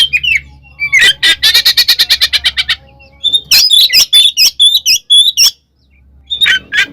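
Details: Magpie-robin fighting song meant to stir other magpie-robins, in ngeplong ngekek style: whistled notes, a rapid buzzy rattle, then a varied run of loud sharp chips and slurred whistles after a pause, with a faint low hum.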